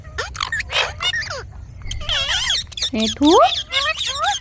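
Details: Ringneck parrot talking in a dense chatter of raspy, word-like syllables, with a wavering middle phrase and a rising, nasal sweep near the end.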